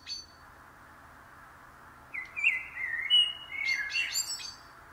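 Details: Common blackbird song: a leisurely fluted warble, then a scratchy, higher twittering flourish at the phrase end, after a brief high note and silence.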